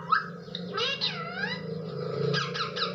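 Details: Talking parrot: long, wavering, nasal speech-like phrases that sweep down and back up, then a few clipped syllables, over a steady low hum.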